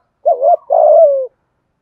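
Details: Spotted dove thúc gù coo with a deep, earthy tone: a short wavering low note, then a longer mellow coo that slides gently downward, in clean silence.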